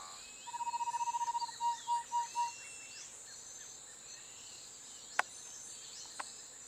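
Niceforo's Wren sings a fast, even trill of low whistled notes, then four slower, fuller whistles. A steady high insect hum runs underneath, with two sharp clicks near the end.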